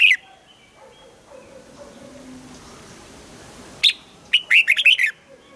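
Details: Red-whiskered bulbul morning song in the double-note (âm kép) style used for training singers. A short note opens the clip, a long near-silence follows, then a late burst of rapid, bright, chattering whistles.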